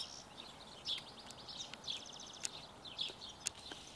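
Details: Barn swallow nestlings being fed, fast trilled high chirp series broken by a few sharp clicks, fairly continuous over several seconds.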